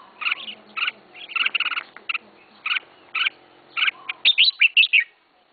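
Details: Caged red-whiskered bulbul, the first bird its keeper has raised, singing short chirpy two-toned notes in evenly spaced bursts, ending in a quick run of bright warbled whistles. A faint low hum runs underneath.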